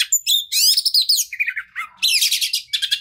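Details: Oriental magpie-robin singing as a lure for a stressed bird: rich rapid phrases of trilled and slurred whistles, a dip into lower falling notes midway, then dense buzzy chatter returning at the end.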